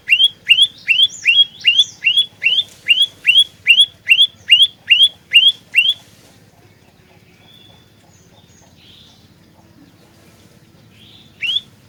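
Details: Olive-backed tailorbird in nonstop trapping-lure song, called a fighter: a rapid run of about thirteen upslurred chirps for six seconds, then quiet, then one last rising note.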